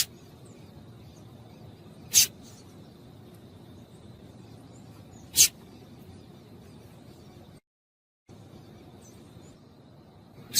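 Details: Female double-collared seedeater calling to excite males: three sharp, very high, clipped chips spaced a few seconds apart over a quiet low hum, with a brief dropout to silence.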